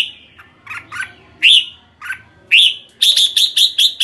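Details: Red-whiskered bulbul giving buzzy chirps and clear upslurred whistles, then a rapid run of six evenly spaced sharp, bright notes.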